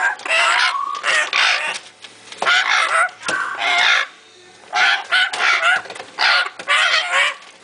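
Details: Baby African grey parrots in Slovenia, 2009. Loud, harsh, rasping calls come in bursts under a second long, often in quick pairs, separated by brief silences.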